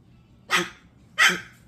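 A cockatoo gives two harsh, raspy dog-like barks about three-quarters of a second apart, a convincing imitation of a dog. Faint room noise sits underneath.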